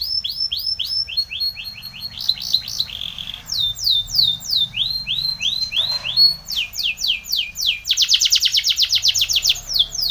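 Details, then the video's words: Spanish Timbrado canary song for training: varied phrases of repeated curved whistled notes, a brief buzzy segment, shifting sweep series, and a loud rapid metallic trill near the end, continuous and powerful. "Timbrado canary's most powerful song for training"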